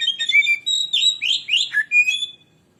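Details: Oriental magpie-robin (kacer) singing in a lure-style recording: a rapid, varied run of loud whistled and slurred phrases, some rising and falling, delivered in quick bursts for about two and a half seconds before fading to silence.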